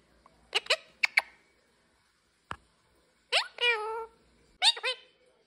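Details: Parrot talking in the evening: a few sharp clicks and short clipped syllables, a lone tick, then a longer wavering speech-like phrase with bending, rising-and-falling tones, ending in one brief curved call; quiet indoor room.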